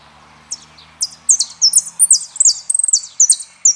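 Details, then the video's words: Saffron finch singing the song type called El peregrino: high, sharp chirped notes and short descending slurs that quicken into a dense run of bright phrases after a quiet start, with faint low hum beneath. "JILGUERO ARGENTINO - El peregrino"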